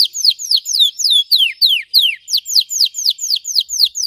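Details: Red Belgian canary singing for training, its deep, intense song here a rapid string of sweeping downward whistles, roughly four each second, with faint higher overtones.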